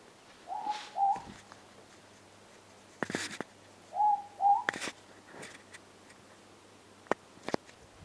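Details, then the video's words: Night-time morepork (ruru) calling near the listener outdoors: two distinct double hoots about three seconds apart, each a short lower note then a slightly higher one, with scattered clicks and rustles between. "Ruru, the morepork sound."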